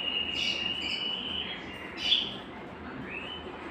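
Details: Belgian canary singing to warm up other males and bring females into breeding condition: a steady high whistled roll holding one pitch, broken by brighter rising flourishes, over a constant hiss.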